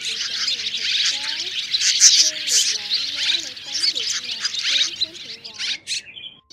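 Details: A lure recording combining three swallow/swift types (white-bellied, striated and grey-brown) calling a flock to roost: a dense, high, buzzy chorus of rapid chirps, with softer wavering whistled notes sliding up and down beneath.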